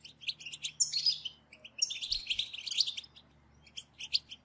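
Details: European goldfinches giving group calls to stimulate goldfinch song: a loud cluster of twittering and buzzy trills early, another dense burst in the middle, then sparse single chips fading out.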